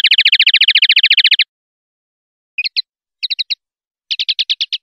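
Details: Clean-style common linnet song (pardillo limpio). It opens with a fast, even trill of bright, high notes lasting about a second and a half. After a pause come short groups of sharp chips and then a quicker run of notes. The background is silent.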